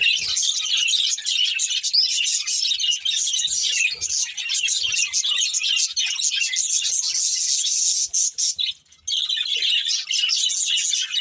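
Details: Budgerigars in a breeding pair chatter continuously in high, busy warbling twitters, with a brief near-silent break late on before the chirping resumes, plus scattered soft low thuds.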